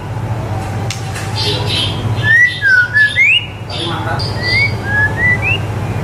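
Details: White-rumped shama, song used for training young birds: a run of clear slurred whistles rising and falling in short steps, repeated after a pause, with faint chatter and low hum behind.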